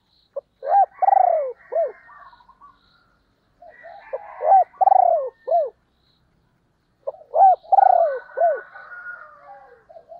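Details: A caged female spotted dove kept as a decoy to attract wild birds. It repeats a phrase three times, roughly every three seconds. Each phrase has short clipped notes, a strong pulsing falling coo and a trailing softer coo. No other noise.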